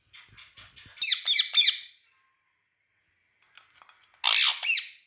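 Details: Pet green parrot on a rod uttering soft ticking chirps that build into three loud, rasping, downward squawks, a pause, then two more harsh squawks.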